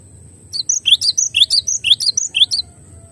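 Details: Clear master recording of a cinereous tit (glatik batu): a dense burst of shrill, high twittering chirps, mixing upswept and downslurred notes, tightly packed over about two seconds.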